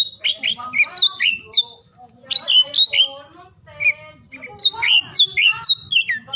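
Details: Oriental magpie-robin song meant to prompt silent or lazy magpie-robins to sing. Bursts of high whistled notes alternate with rougher, buzzy phrases, separated by brief gaps of about a second.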